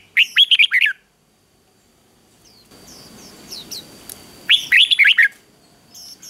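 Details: Red-whiskered bulbul, provocative 'ché' fighting song for stirring males: a quick burst of bright slurred warbles, then a noisy pause with faint distant chirps, and a second warbled phrase.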